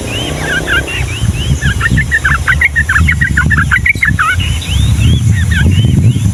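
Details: Yellow-vented bulbul in energetic long-rolling 'Ngombak Banyu' song, meant for tutoring young birds: dense overlapping bubbly whistles and upslurred notes run together continuously, with heavy low rumbling background noise.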